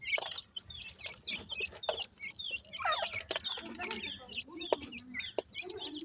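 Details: A brood of black francolin chicks calls steadily with high, bent cheeps, some rising then falling, mixed with loud clicks and a brief cluster of quick chirps midway.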